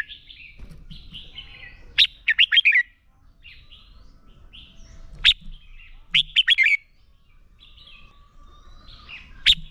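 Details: Red-whiskered bulbul fighting song used to train a bird to sing: loud bursts of sharp, steeply falling whistled notes in quick groups near 2 and 6 seconds, with softer warbling phrases between and faint low background rumble.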